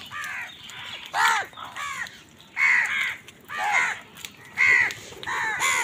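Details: Morning crows competing with wild birds for food: repeated hoarse, arching caws about once a second, loud and grating, alternating with fainter distant caws from other birds.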